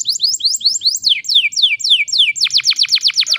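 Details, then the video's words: Canary song used as a lure to get silent canaries singing again: repeated descending whistled sweeps, then a fast run of steep downward notes near the end. "PANCINGAN KENARI GACOR TERBARU AMPUH ATASI KENARI MACET BUNYI"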